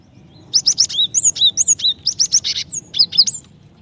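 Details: A Java sparrow hen calls to a male to stir his singing, a lively continuous run of about twenty sharp high chirps and rising and falling whistled notes.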